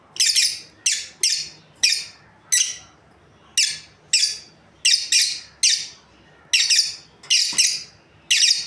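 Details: Breeding pair of lovebirds giving loud, harsh, high chirps in short bursts, often doubled, about every half second to second, with brief pauses between groups; quiet room background.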